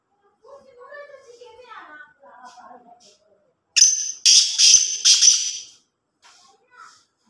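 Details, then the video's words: Black francolin, known locally as kala Sindhi teetar or Sahiwal teetar, giving a loud, harsh call of three or four grating notes in quick succession after a person speaks softly, followed by faint scattered sounds. "Kala Sindhi Teetar ki Awaz | Black Francolin Voice | Sahiwal Teetar"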